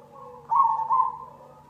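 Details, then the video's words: Perkutut cemani zebra dove used as a lure to draw song from other birds: a single mellow, tonal coo lasting roughly 0.7 seconds in two swelling parts, with a quiet steady hum behind it. "Pancingan perkutut cemani"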